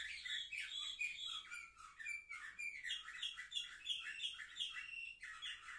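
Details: Canaries seven months old, recorded indoors on 10 November 2023, deliver a fast chattering song of repeated short notes mixed with buzzy rolls and a few higher whistles.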